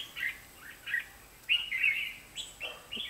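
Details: Red-whiskered bulbuls at a trapping spot, 23 October 2016, with decoy birds singing: lively whistled phrases in bursts roughly every half second to second, some notes sharply rising, and a softer lower note near the end.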